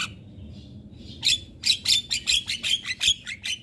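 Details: Javan myna singing vigorously without stopping, meant for training birds: a soft buzzy start, then a steady run of harsh chips about three per second.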